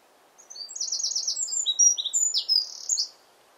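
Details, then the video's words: Eurasian wren in full song against the wind: a rapid, high, bright outpouring of trills and sharp notes lasting about two and a half seconds, with buzzy rattling bursts between clear whistles. "Wren bird song."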